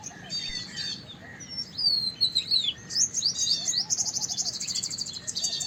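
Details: White-browed wagtail, also called large pied wagtail, a South Asian bird of small water bodies and towns: a busy mix of high, sharp chirps and rapid trilled notes, several overlapping, with a faint low background hum.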